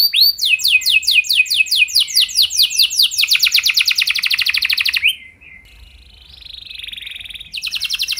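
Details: Canary song to encourage other canaries: a long fast trill of repeated sweeping notes for five seconds, a quiet pause with a faint hum, then the trill starts again.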